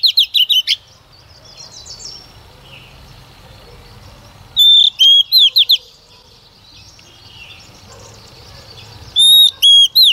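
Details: Decoy female Oriental magpie-robin singing to stir males into song; three separate bursts of clear whistles and fast slurred note runs, spaced by quiet gaps of roughly three to four seconds.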